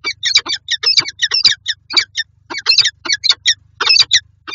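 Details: Peregrine falcon pair meeting in a nest box in Lublin, Poland, on 18 January 2023: rapid harsh, chattering calls repeated several times a second in bursts, with a steady low hum underneath.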